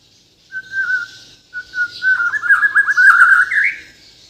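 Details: Bornean white-rumped shama from Kalimantan delivering a melodious song: a long pure whistle, a pause, then a rising rapid trill of warbled notes building in loudness.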